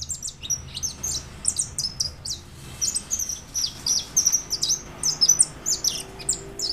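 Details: White European goldfinch song from 2013: lively, high-pitched jingling twitters and quick buzzy trills strung together almost without pause, loud and clear above a quiet background hum.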